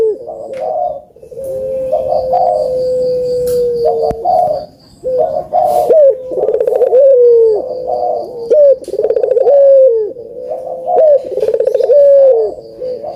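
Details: Cooing of a puter dove, used to coax quiet birds to sing. A long flat hoot lasting several seconds gives way to repeated rolling phrases, each ending in a falling whistled tail, about two per five seconds.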